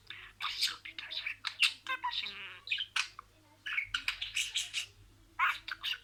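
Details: Budgerigar speaking words in sequence: busy scratchy warbling and high squeaks in two long runs, separated by a short quiet gap.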